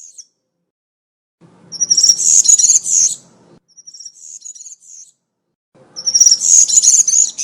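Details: European serin singing country-style song (cante campero) in woodland, used to tutor young serins during moult: high, buzzy, jingling bursts of two to three seconds, separated by short pauses, with faint low rumble beneath.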